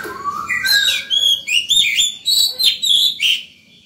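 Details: Oriental magpie-robin in excited, full song in the morning, used to lure other birds and train young birds: rising whistles leading into a rapid series of loud, varied whistled and slurred notes, with faint low background hum.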